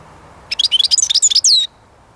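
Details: Single lively European goldfinch phrase: a fast string of liquid, tinkling high notes ending in a drawn-out buzzy trill.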